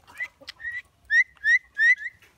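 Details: Common myna kept as a talking bird, mimicking human speech: clear whistled notes that rise and level off, with three loud drawn-out whistles repeated about every third of a second near the end, set against a quiet background.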